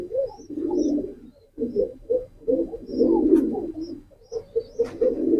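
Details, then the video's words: Low, bubbling pigeon coos in choppy repeated bursts, rising and falling in loudness, with faint high squeaks in the background. "pigeon call and sound effect,কবুতরের ডাক।"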